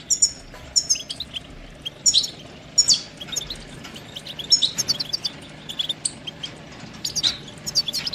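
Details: Goldfinch singing: scattered high chirps and brief twittering phrases with short gaps, fainter in places, against a soft steady hiss.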